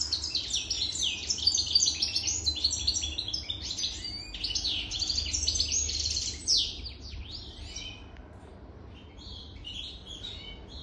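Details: European goldfinch more than three years old sings a long, fast, tinkling twitter full of high slurred notes and buzzes, loud for six seconds, then softer scattered phrases.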